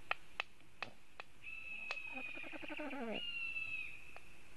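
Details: Black stork at its nest in Latvia, defending it against a raptor nearby, filmed by nest webcam on 27 July 2018 at 10:11: a sustained high whistle with a rapid stuttering harmonic rattle beneath it, preceded by sharp clicks.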